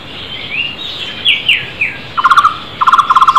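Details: Wild flame-fronted barbet among other birds: downslurred whistles from other species come first. Then two bursts of quick, hollow, pulsed notes follow from the barbet, calling loudly.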